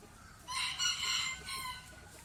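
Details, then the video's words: Short, loud rooster crow in a compilation of crows, a harsh rising-then-held cry lasting about a second and a half over background hiss. "Rooster crowing compilation plus Rooster crowing sound effect"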